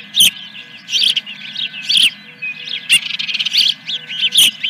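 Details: At the Dunrovin Ranch nest on the morning of 3 May 2021, in the Fish #1 scene, an osprey gives bursts of high, piercing chirps and squeals roughly every second, some in quick stuttering runs, with background electrical hum.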